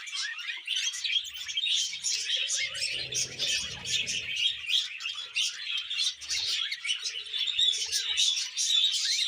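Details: Male pet budgie courting a young female: nonstop chattering warble of rapid high chirps, clicks and squeaky notes running through the whole stretch, with faint low knocks in the background.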